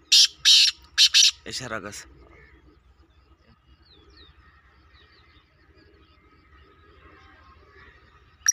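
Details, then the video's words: Black francolin giving a burst of loud, rasping, scratchy notes in quick succession during the first two seconds, then a long, quiet stretch with soft background chirps. "KALA TEETAR KI AWAZ"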